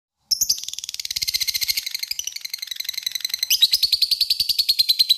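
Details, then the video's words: Lovebird giving a long ngekek chatter, used as a lure to call a rival: a fast run of buzzy, high chirps at about three per second, shifting to a higher, stronger, steadier train after three seconds. "LOVEBIFD DIAM CUKUP SEKALI DENGAR AKAN IKUT NGEKEK PANJANG PANCINGAN LOVEBIRD MANJUR"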